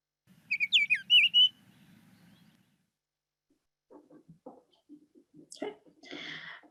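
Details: Female Baltimore Oriole song: a quick run of clear, high cheery whistled notes, some sliding downward, over about a second, shorter and simpler than the male's, then muffled talking and handling noise.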